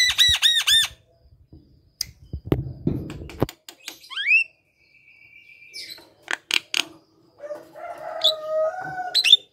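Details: Javan myna song meant to draw out mynas that are lazy to sing: quick arched whistles, sharp clicks and a rustle, a rising whistle into a long level tone, harsh squawks, then low whistled notes.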